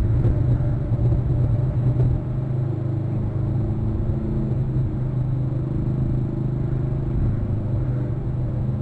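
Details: A loud, continuous vehicle engine rumble dominates throughout, with no animal calls audible.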